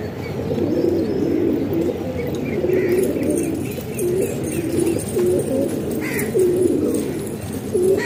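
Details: Pigeons kept in a house in Pakistan, giving repeated low coos roughly every second over a murmuring flock, with faint higher chirps and occasional wing flutters.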